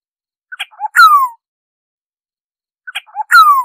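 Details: Oriole, recorded for bird surveys, giving a nasal mewing call twice about two and a half seconds apart; each call is a few short ticks followed by a long downward-sliding note.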